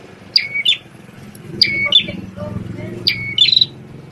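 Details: Prinia with a red head, formerly tutored on white-rumped shama song, delivering three quick high phrases of a thin whistle followed by a buzzy chirp, with faint low background noise and murmuring.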